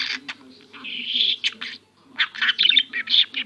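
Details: Pet budgerigar that imitates coughing and sniffing and says "my little son" in Turkish. Bright, scratchy, high chatter comes in two bursts with a short silent gap, over a low steady hum.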